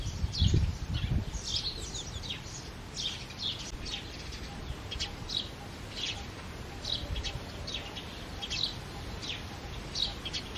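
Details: House sparrows chirping in early morning: short, bright chirps repeat irregularly every half second or so, several birds overlapping, over a steady low rumble of background noise.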